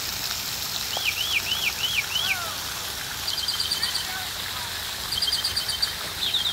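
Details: Several birds sing together in an urban park beside railroad tracks in Birmingham, Alabama: four quick arching whistles, a few soft falling notes, then bursts of high, buzzy, stuttered phrases. Faint background hum throughout.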